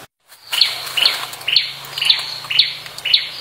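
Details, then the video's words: Blood-breasted Flowerpecker in the wild repeating a sharp, high, clicky tsip note about twice a second, each note crisp and short, over a quiet low hum. "tledekan gunung"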